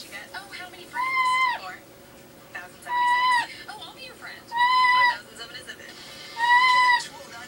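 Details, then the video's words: Pet parrot that has never lived with a cat, seeking attention indoors while its owner cooks, attempting to meow: four drawn-out, arched, tonal mews with rich harmonics, each about half a second long and spaced roughly two seconds apart, over quiet kitchen hum. "Parrot babbles N tries to meow"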